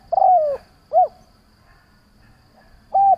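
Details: Lure calling by a decoy spotted dove to provoke others: a long cooing note sliding downward, a short rounded coo, then after a pause a fresh flat coo beginning the next phrase.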